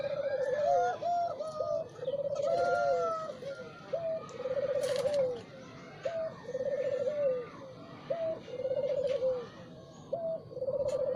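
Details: Spotted dove cooing in the morning, steadily repeated low phrases each with a short coo followed by a longer quavering rolled note, about every two seconds, with faint twittering of other birds behind.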